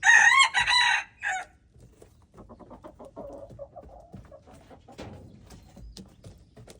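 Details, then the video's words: Red junglefowl, February 13, 2025, opens with a ragged, loud crow broken into several bursts. It is followed by a run of soft, repeated clucks and small background knocks. "red jungle fowl, los peb saib qaib ua si nawb"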